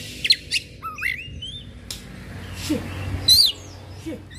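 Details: Worked-up Oriental magpie-robin, tail fanned, gives scattered notes: sharp high chirps, a rising slurred whistle, then pauses and a bright squeaky burst near the end, with low room hum underneath.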